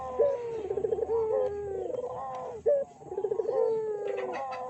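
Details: Lure call of a collared dove (burung puter), played to make other doves answer. Rolling, throbbing coos run into drawn-out falling notes, with short sharp notes between phrases.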